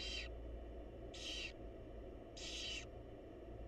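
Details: Three long, hoarse hissing screeches from a barn owl family, mother and young, spaced just over a second apart, with a low droning hum behind.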